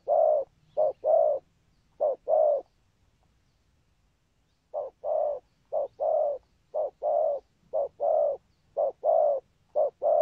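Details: Spotted dove cooing in the 'thúc gù' style: deep paired hoots, a brief note then a drawn-out one, repeated roughly every second, with a pause of a few seconds partway through.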